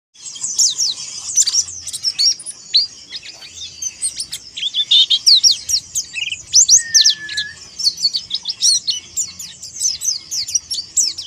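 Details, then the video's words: Oriental white-eye singing in a challenging manner against rivals: loud, rapid, high-pitched twittering with sharp chirps and short whistled slurs pouring out almost without pause, in dense bursts throughout. "PLECI MONTY NGALAS MANGGIL MUSUH"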